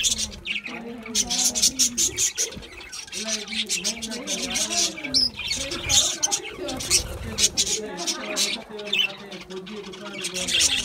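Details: Budgerigars eating seed mix chatter in dense high chirps. Repeated low, soft, cooing-like notes run through most of the recording.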